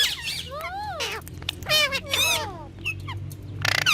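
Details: A pet talking green ringneck (rose-ringed parakeet) chatters in a squawky, speech-like voice: several quick rising and falling phrases, then a harsh squawk near the end, over a faint low hum.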